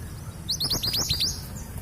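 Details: Brief, lively trill from a female long-tailed sibia of local East Javan origin, used as a lure for males: about seven quick rising chirps packed into under a second.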